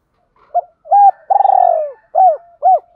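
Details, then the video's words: Spotted dove cooing, used as a call for training male and female doves: short hollow coos, one longer rolling purr, then two more coos, low-pitched and steady in a quiet setting; Spotted dove. "tieng chim cu gay thuc gay goi và thúc"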